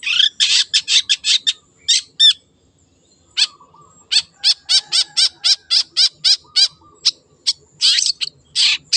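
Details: Energetic wild long-tailed shrike pours out long runs of fast, harsh chattering notes broken by a short silence, then resumes a steady rhythmic series of hooked notes.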